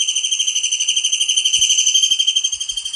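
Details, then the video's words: Tengkek udang kingfisher in full, energetic voice, recorded as tutor material for songbirds: an unbroken, very high, rapidly pulsed whistling trill that stays level throughout, with faint low knocks in the background. "masteran burung Tengkek udang gacor"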